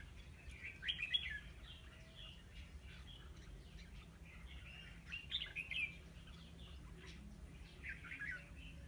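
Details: Red-whiskered bulbul singing as a lure bird during trapping on 9 October 2016: rambling chirped and warbled phrases, strongest at the start and again midway, separated by quieter gaps, steady low background noise.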